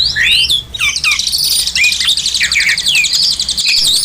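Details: Oriental magpie-robin (kacer) singing as a master tutor song: rich, rapid stream of whistled, sliding notes and fast buzzy trills, loud and continuous throughout.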